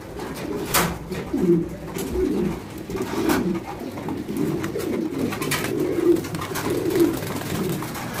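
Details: Fancy pigeons, domesticated rock dove breeds housed in breeding cages on an Indian farm, produce continuous low warbling coos from several birds at once, broken by sharp knocks and wing or cage clatter.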